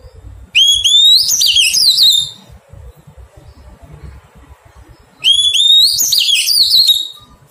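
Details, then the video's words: Wild-caught Oriental magpie-robin being tamed repeats the same phrase twice, about five seconds apart: a clear upward whistle followed by a rapid, rich run of warbling notes. "Thuần hóa chòe than bổi"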